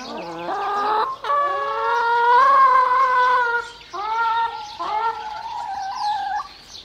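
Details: Clucking hens recorded on 3 May 2009, giving long, drawn, whining notes that swell and hold for several seconds, then break into shorter wavering clucks, in a quiet setting.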